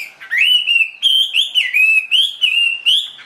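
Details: Fully tamed Chinese hwamei in a cage, tail spread, giving pure, ringing whistles: a sequence of short, steady-pitched notes with sliding starts, separated by brief gaps, loud and clean.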